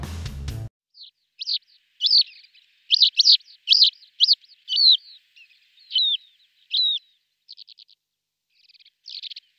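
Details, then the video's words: Male lesser short-toed lark in flight giving calls and song, including mimicry: a brief low musical burst at the start, then sharp high chirps and slurred notes spaced about half a second apart, ending in quick trilled clusters. "Крики и песня самца в полете, включая подражание"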